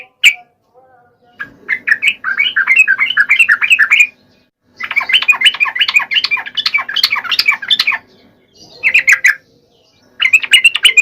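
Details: Lure song of a yellow-vented bulbul, meant to prompt lazy males to sing: long bursts of fast, scratchy, squawking chatter, several seconds each, split by short silences.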